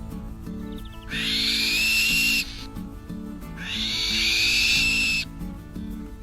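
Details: Black-winged Kite's loud breeding-season call, its only loud call: two long, harsh, wheezy screeches, each over a second long, about two seconds apart, over soft background music.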